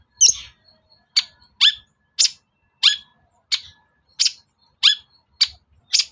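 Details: Long-tailed shrike, a provocation recording to make shrikes answer and sing. About ten rasping, downward-curling notes are delivered steadily, roughly every half second, with a brief low thump at the start.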